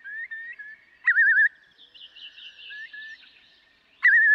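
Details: Eurasian curlew giving clear whistled notes with wavering, quavering bursts. Loud rippling phrases come at the start and near the end, with softer drawn-out whistles between them and a quiet background.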